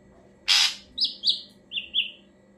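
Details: Ashy drongo lure song: a harsh broadband rasp, then two whistled notes and two lower short whistles in quick sequence.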